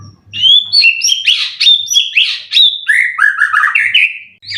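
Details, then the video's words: Caged white-rumped shama, a contest bird with 12 wins, ready to compete: a loud, varied stream of whistled and buzzy notes sliding up and down, ending in lower warbled phrases. "Burung Murai prestasian udh kondisi 90% materi full clilin siap turun Lg!"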